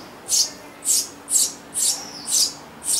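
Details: Eurasian tree sparrow family in a garden nest box, where a pair breeds every year, summer 2012; six high, hissy chirping bursts about half a second apart, with a faint low hum underneath.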